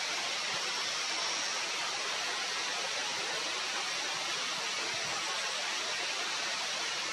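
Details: On a summer plateau, a constant hiss of rushing water like a stream or waterfall drowns everything, with no bird voices heard.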